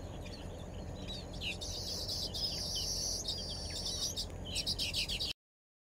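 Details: Several Baya weavers in paddyfields in Perak, Malaysia, on 23 December 2023 chatter in a busy stream of high, sizzling chirps, over a steady insect whine and low background rumble.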